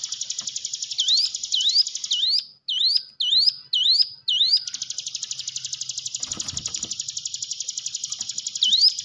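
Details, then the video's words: Hill prinia song for training a quiet caged bird: a high rapid trill with a rising whistle, then a string of loud upswept notes at half-second intervals, then a long unbroken buzzy trill, with a brief low thump near the end. "ciblek gunung diam saja kurang loss mental ciut latih dengan pancingan ini"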